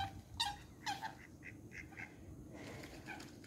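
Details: Coots locked in a fight on the Sankey Canal at Fiddlers Ferry utter quick clipped notes, two loud ones followed by softer muffled yelps.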